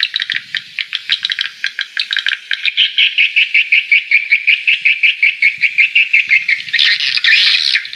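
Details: Bird near a house in Ho Tram, Vietnam, August 2013, giving a fast chattering rattle: short sharp notes repeated nearly three times a second for several seconds, ending in a harsher burst.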